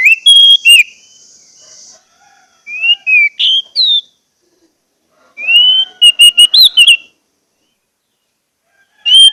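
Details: Orange-headed thrush in a pancingan track for getting quiet thrushes to sing: clear whistled phrases of a few notes, some rising slides, spaced by silences of two or three seconds.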